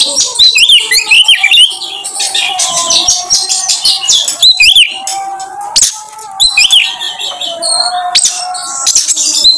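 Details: Black drongo (kacer), a kept songbird, in a dense stretch of song: rapid varied whistles, chips and squeaky notes, rising and falling sweeps with short pauses, possibly mixed with other birds.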